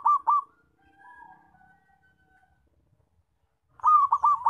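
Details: Loud zebra dove call used as a lure for trapping: the end of a throbbing coo phrase opens, faint thin whistles follow, and a fresh rolling run of pulsed notes closes.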